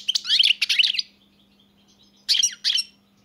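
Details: European goldfinch song: two quick bursts of bright, tinkling twitters, then a pause and two shorter twittering phrases, with a faint steady low hum underneath.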